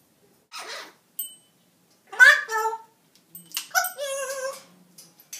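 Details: Pet talking parrot indoors talking to the household dogs, a series of short harmonic speech-like syllables in bursts, with brief pauses between phrases.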